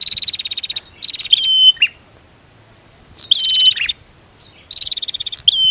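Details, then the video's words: Female and male prinias in a calling duel meant to trigger singing in other birds. Fast pulsed ticking trills alternate with shrill whistles that end in steep downward flicks, separated by short silent gaps. "SUARA Prenjak betina VS Prenjak Jantan"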